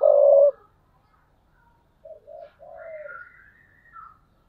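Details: Spotted dove used as a perched decoy, cooing in the thúc bổi style: one loud, deep coo, then after a pause a softer coo phrase of two short notes and a drawn-out note. A higher, thinner call follows at the end.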